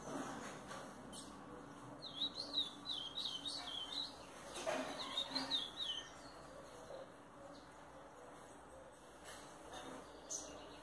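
A double-collared seedeater gives quick bursts of high, twittering notes for a few seconds, then goes quiet. A faint hiss runs underneath.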